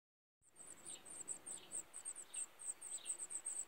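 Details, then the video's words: Black redstart brood, subspecies Phoenicurus ochruros gibraltariensis: very high, thin chirps in a rapid, uneven series, with softer descending notes at intervals, over steady low background hiss. "Brood / Muscicapidae / Phoenicurus ochruros gibraltariensis"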